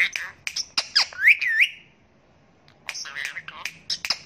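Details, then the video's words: Talking Indian ringneck parakeet: quick clicks and raspy syllables leading into two bright upward-sweeping whistles, then a short silence and a further burst of gravelly speech-like chatter. "ASALAMALAKUM BOLNE WALA TOTA | BEST TALKING PARROT"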